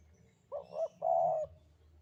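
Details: Spotted dove of the Javan type, a frequent singer, cooing in the sandungan kuk-kuk style: a quick doubled note, a short gap, then one long, smooth, hollow coo. Faint low background rumble.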